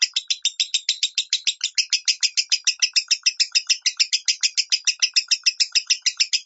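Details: Lovebird singing the minor style meant to teach other lovebirds: steady, fast series of harsh high-pitched chirps, uniform in rhythm from start to finish.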